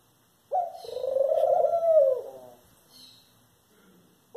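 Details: A single prolonged nasal call from a Eurasian collared dove, about two seconds long, swelling and then tapering off. Faint soft sounds follow before the next call starts.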